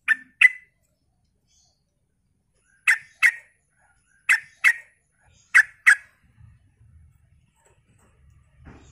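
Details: Yellow-vented bulbul used as a lure recording to prompt other bulbuls to answer: short, bubbly mid-pitched notes in quick pairs, four pairs over several seconds, with a faint low rumble at the end.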